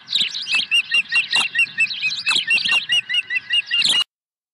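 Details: Osprey calling at the Dunrovin Ranch nest on 23 April 2020 as a second fish is brought in: a steady, excited series of high, piping whistled chirps, roughly two or three per second for four seconds, then stopping abruptly.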